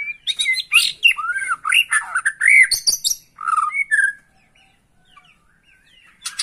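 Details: Lure recording of white-rumped shama song meant to provoke a caged bird into singing fiercely: a dense, fast stream of varied whistles, slurred downward notes and harsh squawky chips for about four seconds, then near silence and a brief final burst.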